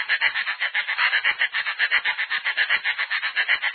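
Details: Snail kite from Brazil giving a dry, nasal, rattling cackle: a steady series of rasping pulses, about five per second, held for several seconds.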